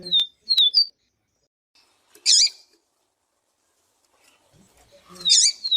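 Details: Papa-capim-viviti, or yellow-bellied seedeater, singing with a female's calls: three quick descending whistles, a pause, then harsh buzzy bursts followed by another downslurred whistle.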